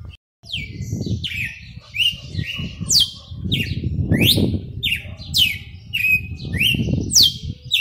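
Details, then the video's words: Kept galo de campina, or red-cowled cardinal, delivering its açoite selvagem song style: a rapid string of bright, slurred whistles, each sweeping steeply up or down, about ten phrases over a steady low rumbling background. "Galo de campina BOHEMIO com seu AÇOITE SELVAGEM."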